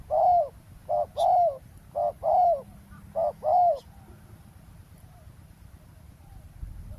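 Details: Roadside ground trapping in Thailand with a spotted dove calling to lure wild doves. Three rhythmic phrases, each a clipped coo then a longer rolling coo about a second apart, then quiet with faint low noise.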